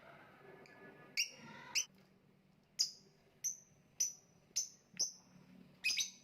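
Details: Lovebird, kicau mania: scratchy double chirps, then a steady series of short, sharp, descending high notes about half a second apart, closing with a rough chattering burst.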